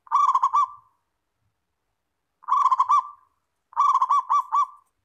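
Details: Local zebra dove (perkutut) in a master recording played to prompt other doves to answer and sing. Three clear cooing phrases, each a quick run of pulsed coos ending in a drawn-out trailing note, spaced over a quiet background.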